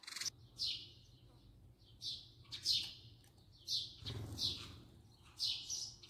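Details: House sparrow heard close by giving spaced, sharp downslurred chirps about one per second, with a brief low thump and quiet hum in the background.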